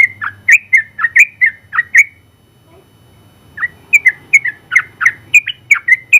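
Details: Contest-winning Sooty-headed bulbul singing bursts of bright, slurred whistles. A rapid run of notes gives way to a short silence, then a second fast run resumes to the end.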